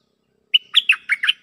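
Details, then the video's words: Short lure phrase from a cream-vented bulbul responding to a resident bird: a sharp whistled note, then four bubbly, slightly buzzy chirps in quick succession. "เสียงต่อนกดอกแตงEp.144 โต้คารมกับเจ้าถิ่น Suara pikat merbah lekir"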